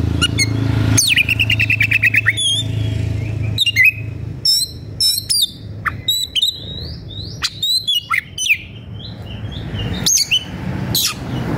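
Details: Oriental magpie-robin worked up and searching for an opponent: a fast buzzy trill of rapid repeated notes, then a long varied run of whistled slurs, chips and warbles, phrases tumbling quickly one after another over a soft low hum.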